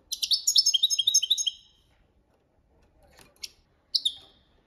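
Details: European goldfinch singing copia Malaga as a training song. A quick stream of about a dozen tinkling, buzzy notes is followed by quiet and two separate chirps.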